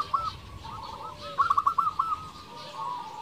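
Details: Local zebra dove song used as a lure to provoke rival doves into answering: a quick run of short, clipped cooing notes bunched near the middle, with softer tones before and after over a steady hiss.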